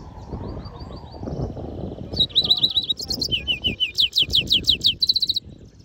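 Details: European goldfinch mule in song, opening with soft high twitters, then loud rapid series of bright downslurred whistles around three times a second, interrupted by brief buzzy rattles, over a faint low room rumble.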